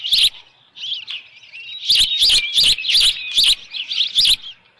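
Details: Osprey at the Dunrovin Ranch nest with a headless fish, 10 June 2018, 6:41 PM: high chirping with a brief lull, then a fast series of six loud, piercing whistled squeals roughly every third of a second.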